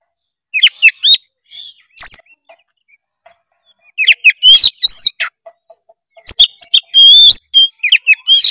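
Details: Vigorous white-rumped shama song, played to coax a lazy young bird into singing: bursts of high, sharp whistles and clicks in quick clusters, separated by silent gaps of about a second.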